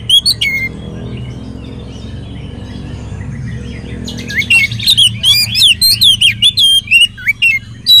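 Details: Oriental magpie-robin lure song for prompting other magpie-robins to sing: a few sharp whistles, a pause, then a dense rapid flurry of varied sweeping whistles and chirps, with a low hum underneath.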